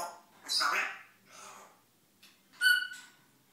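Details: African grey parrot, male, chattering to himself in the morning indoors: mumbled speech-like gibber followed by a sharp whistled note with stacked harmonics.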